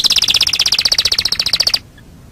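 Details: Canary singing a master song for training birds: a bright, rapid chattering trill of doubled high notes repeated about ten times per second, ending suddenly in silence.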